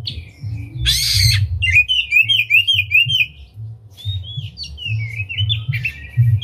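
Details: Oriental magpie-robin lure song, the bird opening its tail, a unique melody to provoke other magpie-robins to sing. A harsh rasping burst opens, then a fast series of short, repeated whistled notes about two and a half each second.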